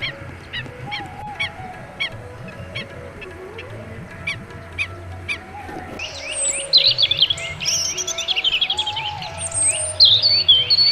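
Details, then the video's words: Birds singing and chirping in a natural scene: faint regular high ticks at first, then a loud burst of varied high whistled and chirping phrases from several birds, over a low steady hum. "Singing and Chirping, Sound of Birds"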